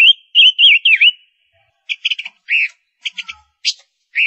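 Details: Female ngũ sắc bird, used as a lure bird, gives four quick looping whistles in a row, then a pause and a series of sharp chirps and arched whistles.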